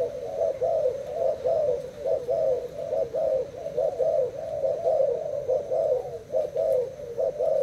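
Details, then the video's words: Spotted dove from Thailand dueling a decoy bird by cooing, delivering an unbroken series of low, throaty, slightly quavering coos at a quick, fairly even pace for several seconds. "Cu gáy thailand đấu gù mồi trần 2 ngày lồng"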